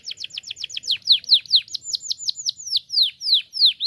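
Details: Canary chirping-practice song: a fast tour of high falling whistled notes that slows midway into broader, louder swooping syllables repeated about three to four times a second.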